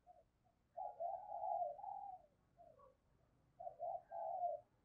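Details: Decoy spotted dove making thúc and gáy gọi calls to lure and train birds. Quieter, burry coos come in two groups of drawn-out, wavering notes, over a low hiss and rumble.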